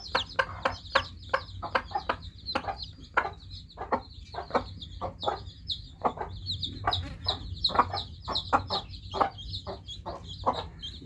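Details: A brood of newly hatched chicken chicks keeps up busy, shrill peeping, rapid overlapping chirps, mixed with a dense run of sharp clicking sounds and a low background hum.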